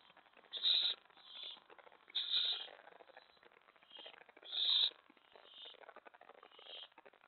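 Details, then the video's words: Five owlets at night, 2:50 AM on May 25, 2017, during a mouse delivery; rasping hissed bursts, three louder ones spaced about two seconds apart, with fainter hisses in between over a quiet background. "Five Owlets/Mouse Delivery!"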